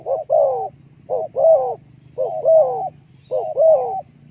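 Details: Spotted dove cooing, a recording meant to stir breeding mood in kept birds: four clear phrases, each a brief coo followed by a longer rolling, slightly falling coo, roughly once a second over faint low hum.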